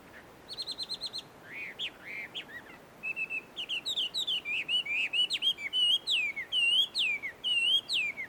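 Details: Chinese hwamei singing in the wild among shady trees at a Tenmangu shrine in Joso, Ibaraki, Japan: loud varied whistled phrases, rapid repeated notes then slurred rising and falling whistles in a continuous run.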